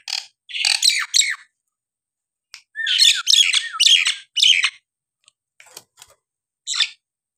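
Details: Harsh, screechy squawks from a Nias hill myna, delivered in two loud clustered bursts with brief slurred whistles mixed in. A lone squawk closes the sequence.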